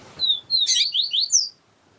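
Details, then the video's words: Papa-capim siu siu (yellow-bellied seedeater) teacher song with a calling female meant to excite the male. A series of high, slurred whistles is overlapped by a harsh noisy burst partway through. "Papa capim siu siu com Fêmea chamando para Esquentar papa capim siu siu"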